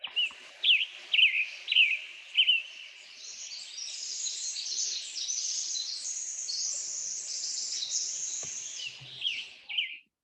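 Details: Pacific Wren pours out a long, rapid, high tumbling cascade of tinkling trills and buzzes, after a few separate sharp slurred notes from a Western Tanager singing along in the background.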